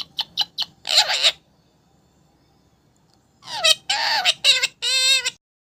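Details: Kept pet parrot giving loud, harsh squawking calls rich in ringing overtones: a quick run of four short bursts, a pause of about two seconds, then a chain of longer grating cries.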